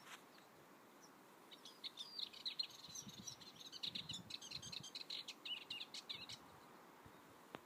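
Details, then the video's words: Eastern subalpine warbler song at Skagen, Denmark, 4 May: a rapid, scratchy, high-pitched chattering warble for about five seconds over a faint low background rumble. "Eastern Subalpine Warbler (song)"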